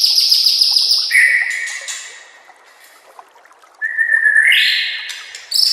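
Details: White-rumped shama (murai batu) master song for training other shamas: loud sustained whistled notes with rich overtones, a long high tone dropping to a steady lower whistle, a quiet gap, then rising whistles and a high burst.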